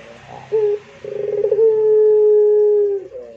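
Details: Puter pelung Barbary dove giving a short note, then a pulsed stammering start running into a long, flat, sustained coo of nearly two seconds, with faint background hum.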